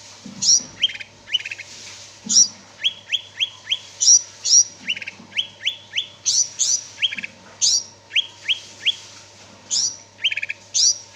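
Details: Greater green leafbird in full lively song, a long sequence of high ringing upslurred whistles and clusters of rising slurred notes, repeated phrase after phrase with brief pauses, a quiet low hum in the background.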